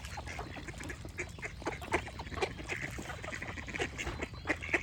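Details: Several ducks calling together: rough, nasal quacks in quick bursts, a few louder sharper ones standing out near the end, over constant low ambient noise.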